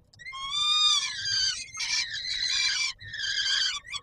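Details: Peregrine falcon on the Palace of Culture and Science, Warsaw, Poland, 17 July 2022, at feeding time: a long rising-then-falling wailing screech, followed by two harsher, noisier rasping calls.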